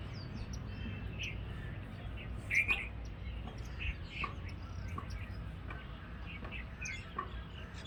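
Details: Jungle babblers calling, a common resident bird of the Indian subcontinent; short harsh chirps recur irregularly, louder bursts near the middle, over low rumbling background noise.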